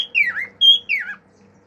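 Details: Male cockatiel kept as a pet giving a high whistled phrase: a note sliding downward, a short level high tone, then another descending slur.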